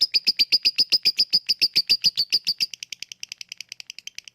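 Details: Lovebird 'ngekek' chatter meant to stir lazy lovebirds to call: strong, evenly spaced squeaky chips at a fast pace, dropping to a quieter, quicker flutter of clicks after two and a half seconds.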